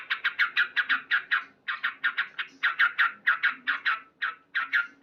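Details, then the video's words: Sooty-headed bulbul male in loud morning voice, delivering quick bursts of bubbly chirping notes in groups with brief pauses between runs. "Terapi Burung Trucuk Gacor"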